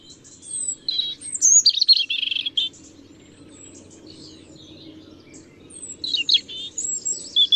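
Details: European robin song in two phrases separated by a pause: thin, very high whistles mixed with quick scratchy trills and warbles, clear against faint low background noise.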